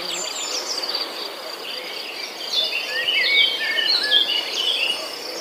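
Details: Young birds waiting in their nest with the mother gone to forage: scattered thin chirps early, then a denser run of sharp squeaky notes in the second half, under a constant shrill insect background.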